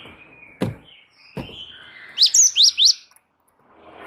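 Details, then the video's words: Java sparrow, a gacor bird giving a rolling training song: after two low knocking sounds, a quick run of four high, swooping chirps follows against a faint background hum. "gelatik wingko gacor ngeroll pancing bunyi suara masteran burung gelatik"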